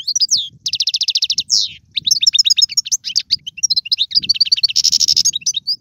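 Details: Caged Algerian goldfinch singing: a long rapid rattling trill, a slurred note, then varied twittering phrases and a dense buzzy trill, with faint low background rumble.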